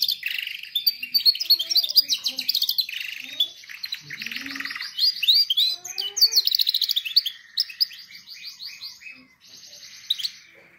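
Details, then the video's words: Canary singing, offered as training song for canaries: a long varied performance of rapid rolling trills, buzzy repeated pulses and sustained high tours, changing pattern every second or two, with a quieter steady trill closing. "canary singing best video to training canaries birds"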